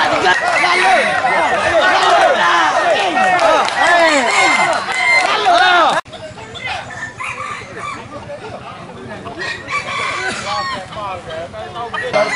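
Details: Many red junglefowl hybrids crow over one another at a crowing competition in Felda Tenang, Terengganu, Malaysia, a dense chorus of short arched calls with a busy crowd murmur beneath.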